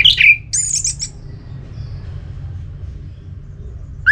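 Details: Ngeplong song from an orange-headed thrush, aimed at stimulating another bird: a sharp whistled note followed by a cluster of very high, thin twitters, then a pause and a rising whistle.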